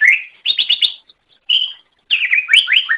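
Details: Greater green leafbird song used as a master recording for training other birds, with bursts of rapid whistled and chirping notes around mid-high pitch, separated by short pauses, some notes sliding up and down.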